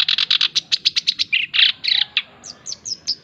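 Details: Male black-browed reed warbler singing vigorously, a song recording used to train and lure other birds: fast run of harsh, repeated chattering notes, then a few lower buzzy phrases and a closing series of short, sharply slurred notes.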